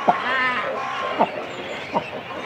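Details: Close to a cormorant nest in a colony with chicks and adults: three sharp, falling yelps spaced under a second apart, between them a brief nasal, harmonic bleat and low colony noise.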